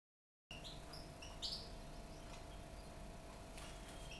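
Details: A 20-day-old baby European goldfinch, being hand-fed from a finger at the start of taming, gives a few thin, high chirps over a steady indoor hum.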